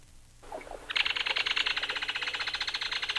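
A Belted Kingfisher gives its loud, dry rattle: a fast, harsh, woody run of clicks that carries on steadily for over two seconds.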